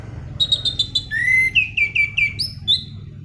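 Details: Black-throated laughingthrush in non-stop song for luring and tutoring birds: a row of short high chips, then a series of rising slurred whistles and a few bright upswept notes, with background low hum.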